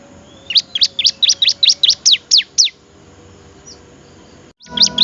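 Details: Bar-winged prinia, recorded for training other songbirds, delivers a steady string of about eleven sharp high chirps, falls silent for nearly two seconds, then begins a few more notes.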